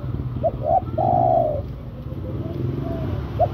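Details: Spotted dove calling to a female, one phrase of two short coos and a long steady coo over a constant low rumble of background noise, with a faint extra note near the end.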